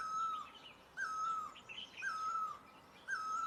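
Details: Great barbet in Asia calling with long, downward-sliding hollow notes at one-second intervals; faint high twitters and a steady hiss behind.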